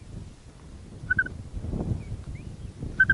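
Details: Grey plover (black-bellied plover) at an Arctic nest, where a male returns to incubate beside a freshly hatched, wet chick that squeaks plaintively; two short bursts of high, clear peeps, about a second and a half apart, over low rustling.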